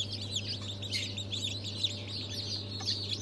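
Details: Chicks of Brahma, Fizan, Australorp and Legbar chickens, freshly hatched on 3 March 2023, peep constantly in high, sharp, downward-slurred notes from many birds at once, with a low droning hum underneath.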